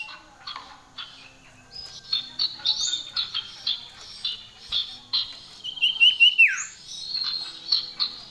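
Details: Energetic common iora singing a varied, richly filled song of quick high chirps and slurred whistles, with a loud descending sweep and rapid warbled trill near the end.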